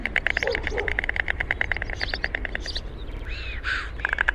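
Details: White stork rattling with rapid hollow clacks for under three seconds. Then come a few other bird notes and chirps over low rumble.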